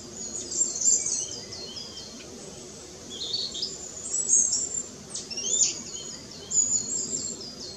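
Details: A tree with a cluster of Long-tailed tit fledglings being fed by parents that move about and fetch strays, 4 May 2016, Nikon Coolpix P900. Many very high, thin, sharp calls and short twittering phrases come from several birds.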